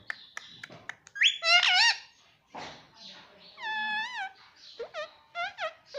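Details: Pet parrot saying papa: quick clicks and squeaks, then loud warbling tonal syllables with bending pitch, a long level note and several short rising calls near the end.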